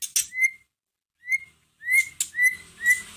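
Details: White-rumped shama repeating clear, slightly rising whistles about twice a second, broken by a harsh burst, over a faint low hum; the song serves as a lure to get another shama singing.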